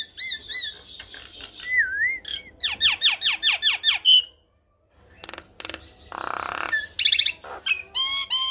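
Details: Javan myna singing gacor-style as tutor material for young mynas: looping whistles, a wavering whistled phrase, seven rapid descending swept notes, brief silence, then harsh buzzes and high trilled whistles.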